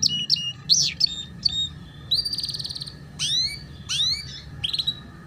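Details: Canary song from a tutor recording for juvenile canaries learning ngeriwik: varied phrases of buzzy rapid trills, rising and falling whistles and sharp upslurred notes separated by short pauses, with a faint background hum.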